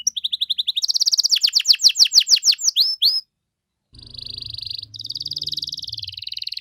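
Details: Canary in ornate 'cengkok mewah' song, played to make other canaries reply: a quick stuttering trill and rising-falling sweeps, a second of silence, then a high buzzy sustained trill over a faint low hum.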